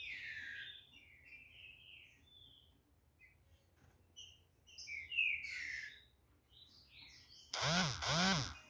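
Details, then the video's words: Green-winged saltator from a breeder singing short whistled and slurred phrases, some sliding downward, given irregularly, with a loud low harmonic moaning noise at the end. "TRINCA FERRO"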